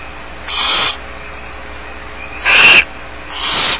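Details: Barn owl chicks left alone in the nest at Starr Ranch give harsh, hissing begging screeches: three breathy bursts about half a second each, at uneven intervals, over a low steady background hum.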